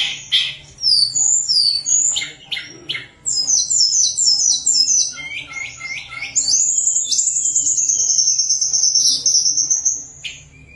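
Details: Lively, flute-like tledekan gunung song used to lure lazy birds into singing: fast tumbling whistles and down-slurred notes, then a long unbroken high trill lasting several seconds, over a low background hum.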